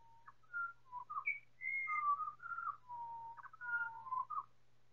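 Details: Four pied butcherbirds singing together in chorus, slowed several times, heard as a run of pure, flute-like whistled notes, some level and some sliding, rising and falling across the register in quick phrases over a faint low steady hum.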